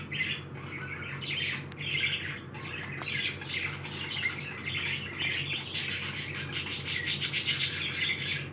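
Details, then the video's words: Happy pet parakeets chatter steadily in scratchy, squawking bursts and quick chirps, growing busier toward the end, over a low steady hum. "Happy #birbs today."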